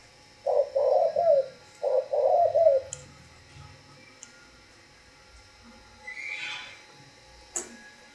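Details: Spotted dove cooing: two low, soft, hollow phrases of three to four coo notes each within the first three seconds, then quiet with a brief faint rushing sound and a sharp click near the end.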